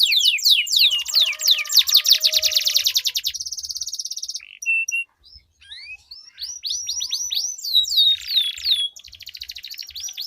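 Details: Canary duel of long rolling song meant to trigger silent canaries: quick descending whistles give way to a buzzy rolling trill, a short near-silent pause, then whistled sweeps and a harsh buzzing roll.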